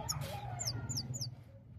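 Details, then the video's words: A goldfinch sings three quick, thin, high twittering notes, each sliding downward, over a low steady hum. "gold finch singing"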